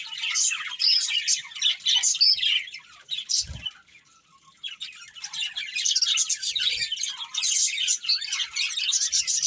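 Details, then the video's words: Budgies of a breeding pair chirping in bursts of high scratchy warbling, a quieter pause of about two seconds in the middle, then dense chatter again. "Cute Budgies Chirping Sounds | Beautiful Budgies Breeding Pair"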